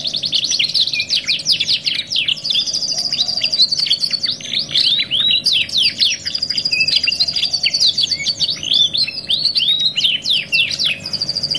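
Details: Luxury canary 'masteran' tutor song, 2 in 1, used for training and therapy: long varied performance of quick descending whistles, buzzy rattles and extended ringing high trills, hardly pausing, over a faint steady hum.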